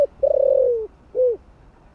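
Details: End of a spotted dove phrase in the 'giọng thổ' voice type: a long, pulsing coo sliding downward, then one short rounded coo. The bird is used to stimulate decoy birds.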